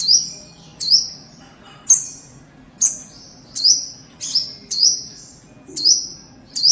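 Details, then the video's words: Adult kapas tembak white-eye repeating loud, high, sharp chirps that slur downward, about one per second, occasionally two in quick succession, with little else audible beyond faint hiss. "indukan burung kapas tembak"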